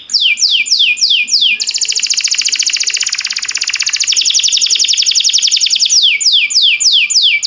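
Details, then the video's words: Canary song for teaching canaries: several sweeping descending whistles, then a long, even, rolling high trill, closing with more downward sweeps. "Cantar canário faz seu canário cantar"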